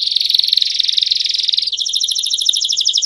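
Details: Canary singing a long campainha-style song used for training and teaching young birds: a rapid, even roll of bright notes for almost two seconds, then an abrupt switch to a higher, clipped, pulsed trill.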